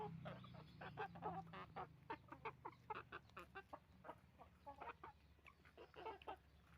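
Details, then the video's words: Chicken farm with roosters and hens making noise, many short repeated clucks in quick irregular bursts, a low hum beneath in the first seconds. "Moment of the sound of a chicken farm, roosters and hens making noise"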